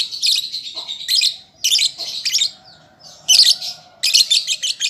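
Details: Harsh, high chattering phrases from a juvenile lovebird learning song, delivered in dense half-second blocks with short silences between them.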